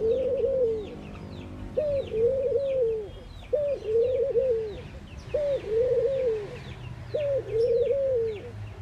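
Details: A steady series of five low, mournful coos from a mourning dove, repeated roughly every two seconds, each a brief rising note then a sustained sliding moan. Many thin, high bird chirps sound throughout.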